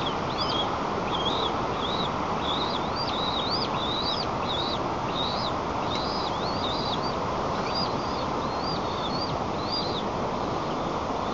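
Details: White-tailed eagles (Haliaeetus albicilla) at a nest in Nizhnyaya Kama National Park, Tatarstan, 6 May 2024, as one arrives and persuades the other to feed: a steady series of thin, high yelping notes, roughly two a second, over loud constant wind-like rushing.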